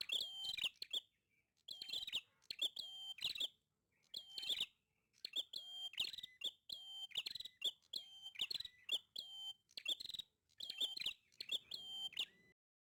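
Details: Prinia singing persistently, giving loud, metallic, buzzing phrases in regular short bursts, each a cluster of sharp notes on one high pitch, separated by brief pauses.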